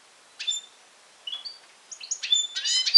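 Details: Goldfinch x canary hybrid from Syros, Greece, July 2007: a few thin whistled notes and chirps, then a quick tumbling run of bright twittering notes building louder at the end.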